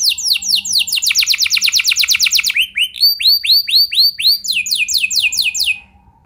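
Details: Training recording of a singing canary for other canaries: a rapid bright trill, a low rising note, then a slower series of arched whistles and a final quick trill that stops abruptly.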